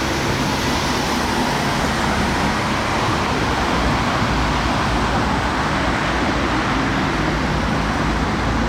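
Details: Steady roar of city traffic, with vehicles passing continuously and no animal voices.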